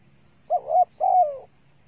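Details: ['Spotted dove female calling to stir males: two close, deep coos, the first dipping in the middle, the second longer, grainy and falling away, on a quiet background.']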